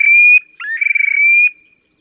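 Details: Terek sandpiper in display, Oka Nature Reserve near the Pra, Lipovaya Gora to Verkhneye Sheykino, Russia, 30 April 2019: a clean, high sustained whistle, broken by a short rising note, then a fluttering trilled stretch and a long whistle again.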